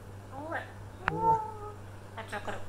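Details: Captive African grey parrot at home conversing with its owner, producing speech-like harmonic syllables with gliding pitch, a sharp click, then a held tonal phrase and rapid syllables, while people talk around it over a low hum.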